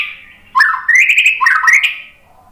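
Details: White-rumped shama phrase for provoking combative males: a single rich warbling burst of rising and wavering whistles lasting just over a second, fading into a faint trailing note.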